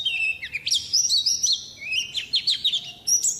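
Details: White-eye song used as a master recording for training songbirds, meant to get birds singing quickly: a rapid jumble of high thin twittering notes and quick up-and-down whistled slurs, with brief pauses between bursts.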